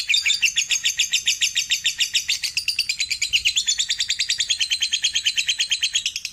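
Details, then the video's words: Lovebird delivering a long ngekek-style chattering trill: rapid, buzzy high notes repeated a little over twice per second, steady for six seconds with a slight drop in pitch midway; no other sounds. "Terapi Burung Lovebird biar Cepat Gacor"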